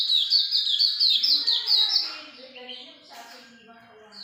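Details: Hume's white-eye giving a quick series of piercing high down-slurred notes for two seconds, then softer, lower chattering trailing off, with a brief high note at the end.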